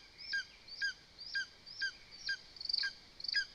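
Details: Lesser spotted eagle (Clanga pomarina) at a live-camera nest in Zemgale, Latvia, where chicks are fed voles: sharp, high yelping notes, about two a second, each with a quick downward slur; faint background hiss.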